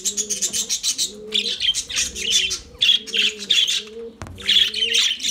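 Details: Singing lovebirds keep up fast, scratchy high chirps and squeaks in short pulsing bursts, while a soft low cooing repeats steadily underneath, broken once by a sharp click.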